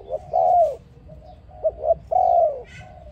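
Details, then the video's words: Dove cooing to attract other doves into a trap: long, slightly falling hollow coos, separated by soft clipped notes, with a faint higher sound near the end. "Beloved dove singing sound to trap another dove"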